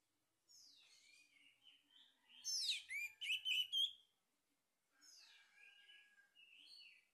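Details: Singing lure of a male orange-headed thrush: a quiet twittering warble rising into a loud run of rapid sweeping whistles, then a pause and more soft, rambling warbled phrases.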